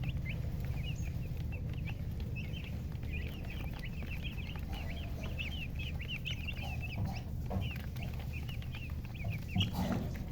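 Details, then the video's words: Chicks, described as colour chickens with a hen, peep continuously in rapid high chirps, many overlapping notes arched and falling, over a steady low hum. "silly chicken chirping sounds with murgi hen color chicken"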